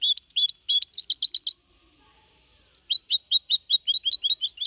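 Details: Four-and-a-half-month-old goldfinch hybrid singing a clean Malaga-copy song in 2021: a fast, tinkling twitter, a brief silence, then evenly spaced bright chirps about three per second.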